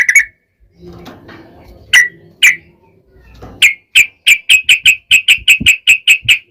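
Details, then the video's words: Yellow-vented bulbul, lure song in long 'ropel' style to get other bulbuls singing; scattered sharp notes with faint low rustling, building into an even run of about a dozen clear repeated chips. "KICAU SUARA trucukan gacor ROPEL PANJANG pancingan trucukan agar bunyi"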